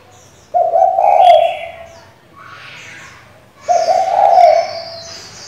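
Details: Female spotted dove calling to provoke the decoy bird: two low, breathy coo phrases about three seconds apart, with brief high chirps and twitters from other birds between them.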